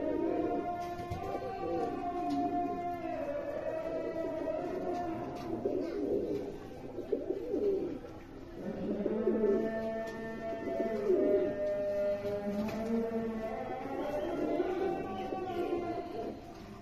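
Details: American fantail pigeons, six pairs of kept birds, giving low, rolling coos that swell and fade in overlapping bouts. Several birds call together with a steady murmur beneath.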